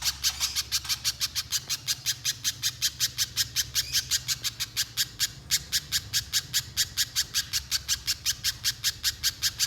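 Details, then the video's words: Little spiderhunter (pijantung pisang) in long nonstop 'gacor konslet' singing, used to draw other spiderhunters into singing: a relentless, even rattle of shrill, raspy high notes, about six per second, over low hum. "Pijantung Pisang Gacor Konslet‼️ Untuk Pancingan Pijantung Agar Bunyi Mbeset Panjang"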